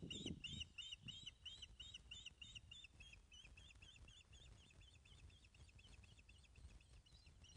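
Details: Osprey at a nest at Loch of the Lowes, Scotland, 19 May 2012 at 10.27 am, calling during a fish delivery, picked up by a webcam: a fast run of sharp, high chirps, roughly three per second, easing slightly, over low rumbling noise.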